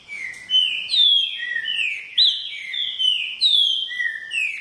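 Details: A green-winged saltator sings as a repetidor, pouring out clear whistled notes that slide downward in overlapping steps, with one sharp rising upsweep midway, over a quiet background.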